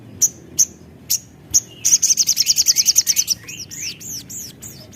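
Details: Singing Javan tesia used as a lure to get other birds singing: four spaced sharp high notes, a rapid run of ringing notes, then several looping whistled phrases.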